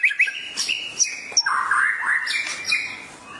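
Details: Shama singing in response to a training recording: quick chirps, then a smeared, warbling whistled phrase holding mid pitch, with sharp high ticks over the top.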